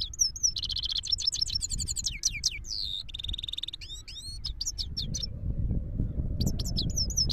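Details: Himalayan goldfinch singing in Parachinar, a lively stream of high twittering, buzzy trills and swooping slurred notes, pausing briefly near the end as low rumbling noise rises.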